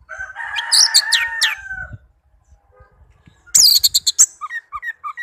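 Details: Orange-headed thrush, a tame bird, sings a buzzy, scratchy mid-pitched phrase with high squeaks over it, pauses, then gives a run of loud sharp staccato notes and short chirps.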